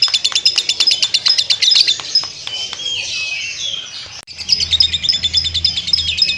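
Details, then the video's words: High rapid chirping from a lovebird doing ngekek chatter breaks into softer warbled notes, a brief click and pause, then the fast chattering resumes with a faint low hum beneath. "burung lovebird ngekek panjang"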